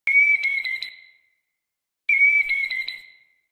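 A Killdeer gives a shrill, high whistled note about a second long that wavers and fades downward, given twice two seconds apart against silence.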